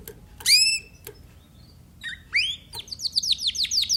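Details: Timbrado canary giving a few isolated bright, sliding notes separated by short silences. It then breaks into a quick series of downward-swept chirps repeated several times per second.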